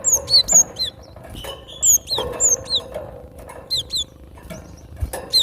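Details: Cinereous tit, locally gelatik batu, singing: piercing high whistled notes that slide downward, grouped in quick pairs and triplets throughout, over a murmur of low background noise and occasional knocks.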